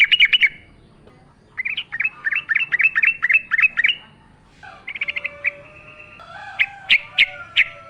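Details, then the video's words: ['Yellow-vented bulbul singing actively in wild forest style with nature sounds, a lure recording. Rapid repeated chirped phrases and a buzzy run, then widely spaced, loud, sharp notes.'] "trucukan gacor ngalas full suara alam"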